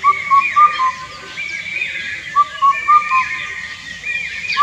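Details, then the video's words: Song of Indian cuckoo (Cuculus micropterus): repeated four-note hooting phrases, clear and whistled, about two seconds apart, with a second bird's higher slurred notes in the background. "Unique Bird Calls - Indian Cuckoo"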